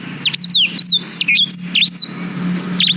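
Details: Black-throated canary singing, recorded on a GoPro Hero 5 as a master for young canaries: a quick chain of bright whistled notes, sweeping down and twisting, with a low steady hum underneath.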